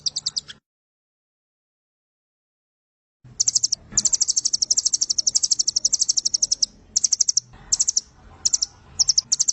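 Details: Velvet-fronted nuthatch tutor song in the long-firing 'nembak panjang' style, 'Doraemon' type. A brief high trill and a silent gap give way to dense, shrill rattling trills, broken later into short bursts.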